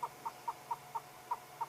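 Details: Yellow-billed Hornbill calling with beak open in the afternoon heat, also panting with a fluttering throat, during a live safari: a steady series of short, hollow clucking notes, about four per second, over quiet background hum.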